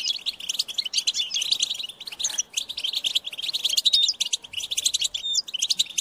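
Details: Insistent high-pitched begging of European goldfinch chicks calling parents to feed them; rapid chirp series with a short lull near two and a half seconds, then resuming.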